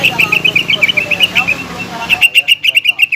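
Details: Lure song of a greater green leafbird meant to stir a rival to fight. A quick run of bright chipping notes continues under a loud mechanical hum for two seconds, then rings out clean and rapid.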